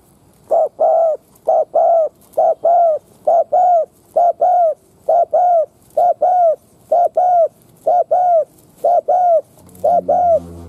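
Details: Spotted dove, a decoy bird, cooing to provoke wild doves into calling: many low, mellow paired coos in quick succession, about one per second, fairly steady, with a faint low hum near the end.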